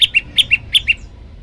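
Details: Olive-backed tailorbird song from a master recording for training birds, in a variation style: three quick pairs of sharp high chirps, a higher note then a lower one, spaced about every 0.4 seconds, before a quiet tail.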